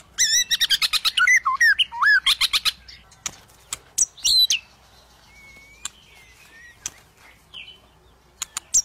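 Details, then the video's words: White-rumped shama song, rich rapid phrases of looping whistles and sharp chips, then pauses with scattered clear notes and clicks; played to coax a shama that is reluctant to sing. "Suara Burung Murai Batu untuk memancing murai batu yang males bunyi"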